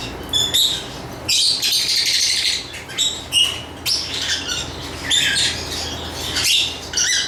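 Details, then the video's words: Lovebirds giving shrill chattering bursts interspersed with clear short whistled tweets, the busy chatter rising and falling over several seconds. "Lovebird Chirping Sounds"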